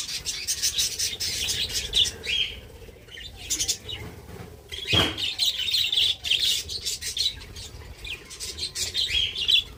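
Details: Budgerigar colony eating mixed soft food and vegetables: dense, overlapping high chirps and chattering warbles in rapid bursts throughout, with fluttering wing noise and a brief low thump midway.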